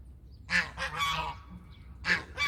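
A domestic goose gives loud, brassy honks, a few harsh nasal calls in quick bursts with brief pauses between.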